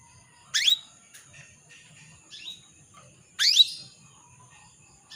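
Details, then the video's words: Hen canary calling the male: two strong upward-sweeping chirps about three seconds apart with softer short notes between, against a steady high tone and faint hum. "PANCINGAN KENARI BETINA MEMANGGIL JANTAN"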